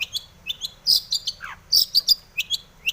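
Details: Long-tailed shrike song, breeding condition, used to coax others to sing: clipped high chirps and bright squeaks in uneven groups, with one lower descending swoop in the middle.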